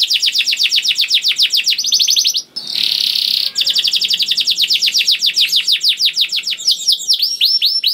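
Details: Young canary song to get other canaries singing: very rapid repeated whistled notes, a brief hissy burst, then more fast trills and downslurred notes.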